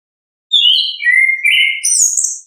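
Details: Orange-headed thrush giving 'ngeplong' song, recorded to encourage young thrushes learning to sing: smooth descending whistled slurs stepping lower, then a bright high squeaky flourish, nothing else audible.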